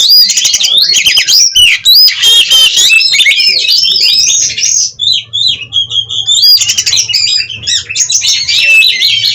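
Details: Oriental magpie-robin from a breeding aviary in Cirebon, Indonesia, in vigorous nonstop song: loud, varied whistles, harsh rattling bursts and sliding notes with mimicry-like phrases, a brief softer pause midway, faint low hum beneath.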